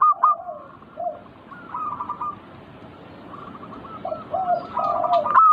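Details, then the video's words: Zebra dove (perkutut) manggung song for provoking keen singing; overlapping phrases of quick bubbling coos, some higher and some lower, run almost continuously, with loud clipped notes at the start and end. "Pancing Emosi burung perkutut bikin cepat Gacor rajin bunyi manggung"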